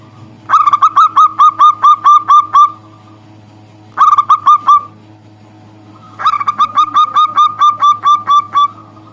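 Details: Local zebra dove calling a rival in three bursts of fast repeated cooing notes, about nine, then four, then ten, separated by short pauses; constant low hum in the background.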